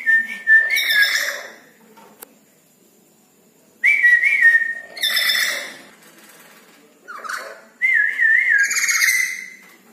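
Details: Red-breasted parakeet singing at night: wavering whistled phrases mixed with harsh chattering bursts, in bouts of about two seconds separated by silences.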